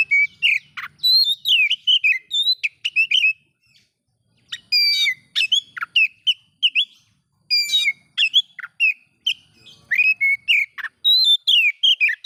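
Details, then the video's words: Oriental magpie-robin song, used to provoke other magpie-robins: loud, varied whistled phrases with sharp rising and falling notes, delivered in rapid bursts separated by short pauses, with a brief silence near four seconds and no other clear sounds. "bikin Kacer Lain ikut emosi coba buktikan dengan suara ini"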